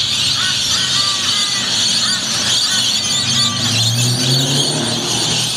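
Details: Rainbow lorikeets in their thousands make a dawn display at Yeppoon Main Beach on 1 June 2013. A continuous shrill chorus of piercing screeches, with short whistled notes standing out above a low rumble of traffic.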